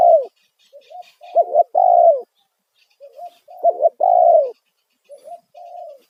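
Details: Loud single-'kuk' style tekukur call of a spotted dove, played as a lure to attract wild doves: three cooing phrases, soft lead notes rising into a sharp double note and a long, mellow, descending coo, phrases about two seconds apart, faint chirps behind.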